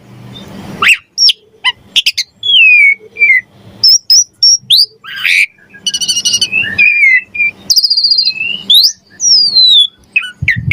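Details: Energetic Javan pied starling song used as a training model for other songbirds, a dense medley of sharp whistles, slurred downward notes, harsh buzzy bursts and squeaks with faint low background hum.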